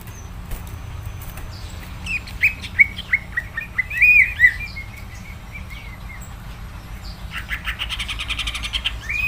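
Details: Greater green leafbird, known in Indonesia as cucak ijo, singing in full vigorous 'gacor' style: a run of slurred whistled notes near the middle, then a dense buzzy, chattering burst toward the end, over a low steady hum.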